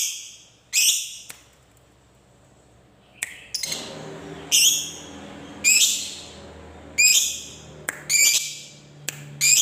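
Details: Lovebird of the fighter type calling in ngekek style: harsh, high, squeaky chirps repeated roughly once a second in loose bursts after a quiet opening, with a low background hum.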